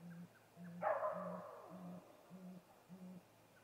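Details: Six low, deep hoots evenly spaced about every half second from a male great gray owl at a snag tree nest, 8:45 pm, 21 April 2019, before a nest visit. One loud, harsh burst sounds near the start.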